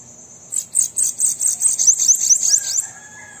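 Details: Sibite song for rousing a kept bananaquit to sing, a fast sequence of about ten high, sharp buzzy notes with downward flicks, followed by a soft lower tone at the end.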